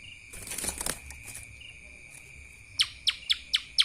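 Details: Lesser green leafbird song in the kapas tembak manner. A noisy flutter of wings opens the recording, then after a pause five sharp, descending chirps ring out at roughly three per second, with a constant high tone behind.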